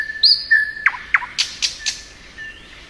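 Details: A nightingale, possibly a thrush nightingale, singing in spring: a couple of clear, high whistled notes, then a loud series of about eight hard, percussive chock notes delivered rapidly, several per second.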